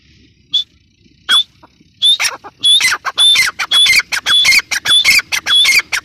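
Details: Female grey francolin starting with a few isolated high whistles, then building into a fast, continuous run of shrill whistled and squawky notes.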